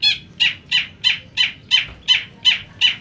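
A Long-tailed Shrike of the black-headed form gives harsh, raspy, high-pitched notes, nine in three seconds, each with a slight downward slur, against a faint low hum.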